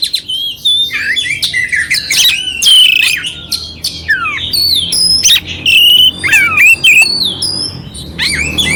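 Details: Oriental magpie-robin singing clear, coarse-filled song used to excite a quiet kacer; dense medley of whistled slides, descending sweeps and harsh chirps in quick succession, with a few short gaps.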